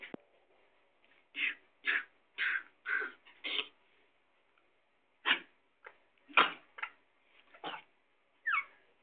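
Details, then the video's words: A Sindhi parrot gives rough, scratchy squawks in irregular clusters, with a sharp click at the start and gaps of silence between groups. "sindhi parrot"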